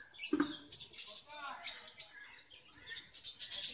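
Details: Caged red avadavats (strawberry finches), nest-building in late February, male not yet red, give thin, high chirps and twitters in quick, uneven bursts, several birds at once, with a brief low voice near the start.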